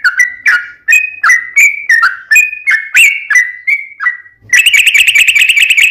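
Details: Yellow-vented bulbul song played to coax other bulbuls into singing: about a dozen short, slurred whistles delivered rapidly, then a fast trilling, bubbling phrase at the end.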